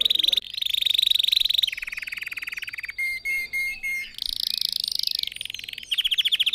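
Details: Red factor canary song, meant for teaching other birds to sing: long rapid trills shifting between pitches, broken by a few short whistled notes, then more buzzy rolling trills.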